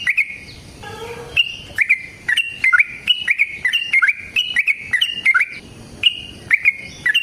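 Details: Sooty-headed bulbul with a long fighting song for prompting other bulbuls to sing: paired and triple whistled notes with quick pitch jumps, repeated in short phrases, over a faint steady high tone.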